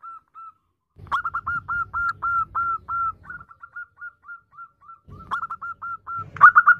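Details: Zebra dove female calling her mate: long runs of brief level whistled notes, some louder, some softer and clipped, in quick even rhythm with low background noise at times.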